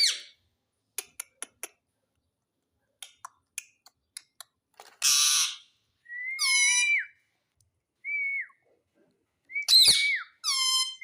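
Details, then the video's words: Indian ringneck parakeet, a talking pet parrot said to say mummy and papa, giving a mix of short clicks, a harsh broad squawk, and several nasal, harmonic calls that dip and level off, some in quick pairs, indoors. "Talking Parrot Mummy Papa"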